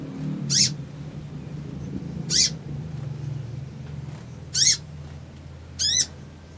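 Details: Crimson sunbird calling in a provocative, agitated style intended to spark a rapid reply. Four brief, shrill, high-pitched bursts arrive roughly every one and a half to two seconds against a noticeable low droning hum.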